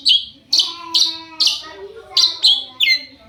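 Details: Loud, grating high notes from a long-tailed shrike, used to provoke answers from other shrikes, come in abrupt separate bursts about every half second, some sliding downward.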